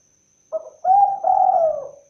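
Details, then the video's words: Single cooing phrase from a spotted dove (tekukur, derkuku): a short low note, then a longer hoot and a drawn-out, gently falling coo, clear against silence. "suara asli burung Tekukur(derkuku)"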